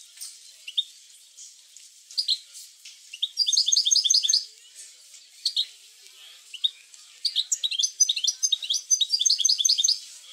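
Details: European goldfinch song used to stimulate other goldfinches to sing: scattered high chirps building into two bursts of rapid, bright twittering trills, the second longer and denser, with brief quiet gaps between phrases.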